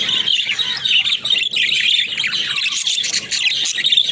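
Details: Pet budgerigars said to be talking: unbroken rapid high warble, scratchy and chirping, with one brief break in the middle before the chatter runs on.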